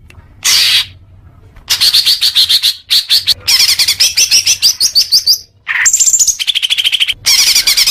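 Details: Leafbird singing, played as therapy for young birds: a loud harsh note, then long rattling trills of quick metallic notes, a brief whistled slur, and more rapid chattering phrases.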